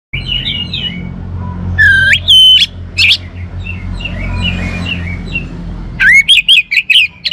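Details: Orange-headed thrush singing: loud, clear whistled phrases around two to four kilohertz-range pitch, a burst near two seconds and a rapid run of repeated whistles at the end, with softer chirping and low background hum between.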